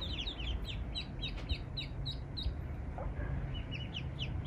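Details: Eastern spot-billed duck family, mother and ducklings, strayed where no water is nearby; quick bursts of high down-slurred peeps from several young, then a brief lower note and scattered peeps, with faint taps.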